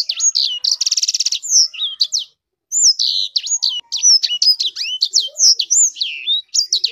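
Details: Sanger bird kept for song, opening with a rich pulsed trill, then after a short pause pouring out a quick string of bright, sweeping whistled notes.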